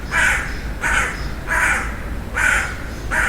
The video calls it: Crow Cawing